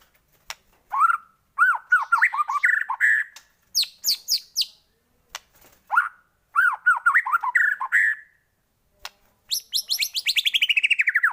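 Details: White-rumped shama song serving as a lure to provoke singing in other shamas: bursts of looping, bubbling notes in separate phrases, ending in a rapid buzzy descending trill.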